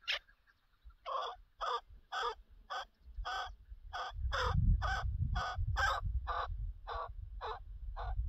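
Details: Chukar partridge during partridge hunting, one sharp opening note then a rhythmic string of rasping chuck calls about twice a second, with rumbling noise growing in the second half.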